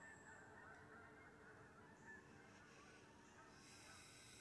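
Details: On an October 25th morning, geese descending into a wheat pasture near a deer stand give a busy, overlapping flock chorus of rapid honks, with a low background rumble.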